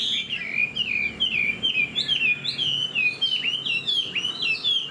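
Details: Hwamei kept in a cage, with fanned tail and fresh feathers, flicks its tail while singing loud, clear whistled phrases, each a swooping downslurred note repeated in rapid rhythmic series.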